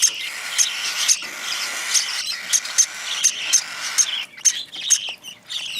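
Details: Cockatiel chick being hand-fed, eagerly gulping its food. It gives loud, high, scratchy chirps and wheezes, repeated roughly twice a second in uneven bursts, over a steady hiss.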